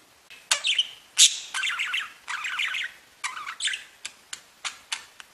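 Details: Pet budgerigars singing and tweeting: busy warbled chatter of quick chirps and rasping notes, broken by sharp bright squawks and short pauses, ending in a string of separate clicky calls.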